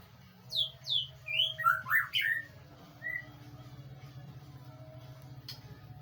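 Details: White-rumped shama song used to train birds and prompt a reply: a short sequence of falling and rising whistled notes, then a tumbling warble and one soft whistle, over a steady low hum.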